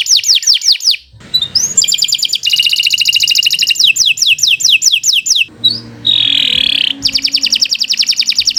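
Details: Canary delivering a long varied song intended for tutoring other birds: rapid descending slurs, dense rattling trills, a sustained warbling whistle and more fast repeated chirps, with faint low background hum.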